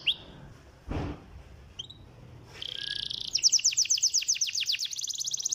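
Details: Canary song used to trigger singing in lazy canaries: quiet opening with a couple of short chips and a thump, then a steady buzzy tone leading into a rapid trill of repeated sharp notes.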